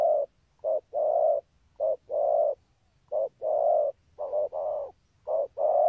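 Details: Spotted dove, chim cu gáy, giving its "thúc gù" coo: clean, deep, resonant phrases of a brief note then a longer sustained coo, phrases separated by short pauses, with no other sounds.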